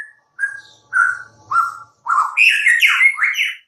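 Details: Song of a white-rumped shama: three or four mellow, down-slurred whistles spaced about half a second apart, then a quick burst of higher, richer warbled notes.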